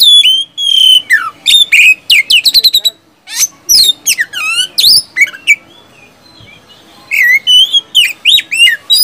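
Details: Oriental magpie-robin in full loud song, whistles and rapid 'tembakan' bursts used as a lure to make silent magpie-robins sing: clear varied whistled phrases, sharp rising and falling notes in quick runs, a short pause midway.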